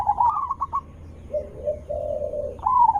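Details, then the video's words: Zebra dove call used to lure other zebra doves into answering: a rolling high cooing trill, then lower drawn-out purring coos, ending with another rising trilled coo, over a low background hum. "langsung Nyaut Panik dengar Suara Besar Merdu ampuh untuk pancingan burung perkutut"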